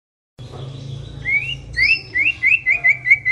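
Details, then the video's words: White-rumped shama song used as a lure to prompt other shamas to sing: after a low hum, a run of rising whistled notes around the same pitch, repeating in quick succession and growing louder. "Pancingan murai yang belum bunyi, sekali klik Auto nyaut"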